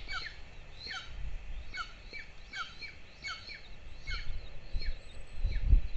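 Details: Nest-camera sound from Lahemaa, Estonia, 22 June 2024: two golden eagle chicks at breakfast call in a regular string of shrill descending whistles, nearly two per second, with bumps and rustles growing louder at the end.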